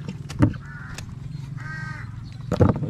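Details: A crow gives two harsh, drawn-out caws about a second apart, over a steady low rumble with a couple of sharp knocks, heard during village work moving a hut in the Philippines.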